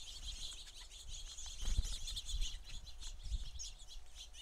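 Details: House sparrows in abundance at a feeder keep up a dense chorus of chirps and short twittering notes, swelling around the middle, with low rumbling noise underneath.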